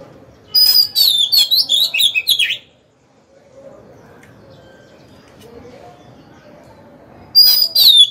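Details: Oriental magpie-robin kept as a decoy, singing to draw wild birds into fighting and excite males: a two-second run of loud, quick, twisting whistles and chatters, a quiet pause, then the phrase starting again.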